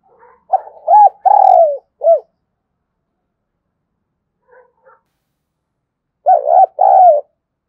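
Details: Spotted dove in quick provoking coo, two phrases of stuttered notes, a long falling coo and a clipped ending note, separated by a pause holding faint soft notes; clear and close with a quiet background.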